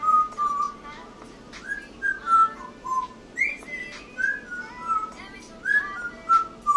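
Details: Pet African grey parrot singing while dancing: a run of short whistled notes, some falling and some rising, in uneven bursts about every half second, in a small room with faint background clicks.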